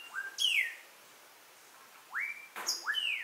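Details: Melodious Blackbird song recorded at Xpujil, Mexico, while the bird displays and sings: clear rising whistles alternating with bright downslurred notes, a short burst, a pause, then more rising and falling whistles; faint click mid-clip.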